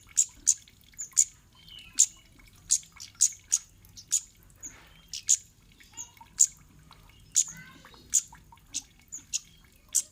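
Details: A kemade repeats its lure call, meant to get other birds answering and singing: a steady run of bright, shrill chips, some doubled, with occasional softer twittering notes mixed in.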